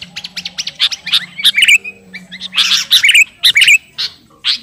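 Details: Sooty-headed bulbul of the garuda type singing actively while calling to a rival: bursts of bright chirps and short rising notes, with loud clustered phrases near the middle and end and a faint low hum beneath.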